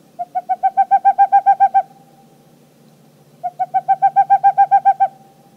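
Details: A Boreal Owl (Aegolius funereus) gives two quick runs of about eleven soft, even hoots each, rising slightly in loudness, with a faint low hum underneath.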